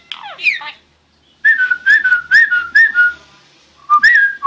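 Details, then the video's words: Starling song: a quick burst of sliding, chattering notes, then a string of clear, slightly buzzy whistles about two a second, each falling a little in pitch. "Starling Bird Singing"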